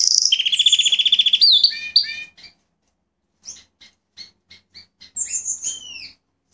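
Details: Male Fife Fancy canary, a pet bird, singing vigorously: a fast, loud trill of rapidly repeated high notes, then a burst of dropping chirps, a short pause, scattered clipped notes and a closing run of bright, sliding whistles.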